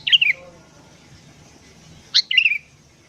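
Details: Sooty-headed bulbul, singing actively in the morning, used to attract wild birds: two brief, liquid whistled phrases that drop in pitch, spaced about two seconds apart over faint background hum.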